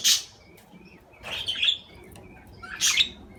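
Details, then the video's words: Budgerigars making three harsh, buzzy chattering bursts about a second apart, joined by thin, level chirps in a quiet room. "أصوات طيور الحب البادجي"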